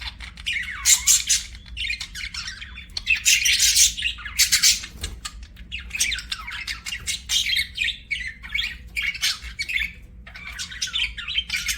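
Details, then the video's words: Budgerigars chirping in a long, busy stretch of loud scratchy chatter and warbles, bursts coming every second or so and overlapping, high-pitched and harsh, over a faint hum. "BUDGIE CHIRPING SOUNDS"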